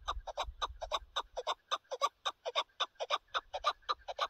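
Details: Chukar partridge in a partridge hunting setting, calling a rhythmic series of chuck notes that sound strong and evenly spaced, repeated roughly four times a second, with little background noise.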